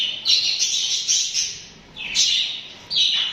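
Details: Pet budgerigars (parakeets) chattering and singing: overlapping high, warbling chirps run almost continuously, with a brief lull near the middle before bright rising notes resume.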